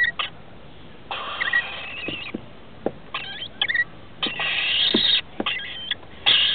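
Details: Adult rainbow lorikeets arrive at their nest in a roof to feed two young, 21 and 17 days old, on 23 October 2013; short harsh squawks and scratchy clicks build into a long grating burst near the end.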